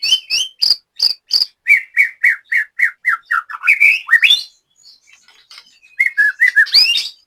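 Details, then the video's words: White-rumped shama kept in Banyumas, Central Java: crisp repeated whistles descending into a steady series of sliding notes, a quiet gap, then rising whistled slurs. "BURUNG LATBER MURAI BATU JAMBRET"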